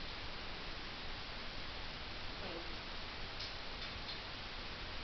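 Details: Steady broadband hiss fills the room recording with no animal voice, only faint ticking.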